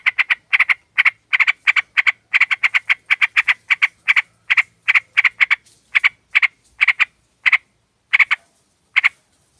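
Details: Sooty-headed bulbul lure recording of a female calling the male, used to attract birds: a fast series of short clipped notes in bursts, some doubled, repeated steadily over ten seconds in a quiet setting.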